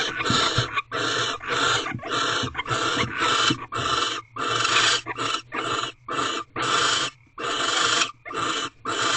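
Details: Barn owls in an owl box at Corral during the sixth night of mating, recorded at 12:11 am on 24 February 2023. A long run of rasping, hissing screeches is broken by brief pauses, roughly one burst every half second.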